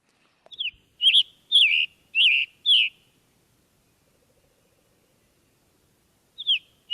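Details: A Scarlet Tanager gives four hoarse, burry robin-like phrases, sore-throated in tone, about half a second apart, then two more after a pause, including its diagnostic chick-burr call, in a quiet setting.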